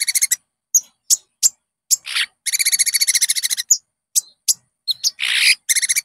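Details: Lure recording of konin song for caged birds: quick high clicks and chips, then a dense buzzy trill of about twenty rapid pulses lasting over a second, more scattered sharp notes and a short harsh hissing burst near the end.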